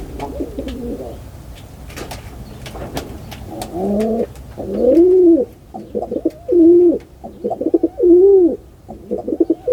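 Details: Pigeon repeatedly cooing, the first coos faint, then a run of bowed, humming phrases about once a second with short stuttering notes between, plus scattered clicks early on.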